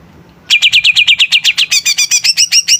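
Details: Energetic song of a greater green leafbird, a lure for stirring up other birds: a long, fast, even string of clear falling whistled notes shifting into sharper, higher chirps.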